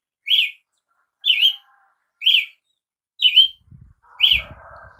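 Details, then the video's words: Clear chevron-shaped notes from a Brazilian tanager, one roughly every second, bright and slightly slurred. Faint hum and low thumps appear toward the end. "canto de Tiê sangue"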